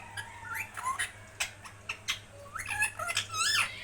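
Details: Talking pet parrot giving a mix of short clicks and sharp ticks with rising, whistled, harmonic notes, bursts coming irregularly and getting louder toward the end, a constant low hum behind.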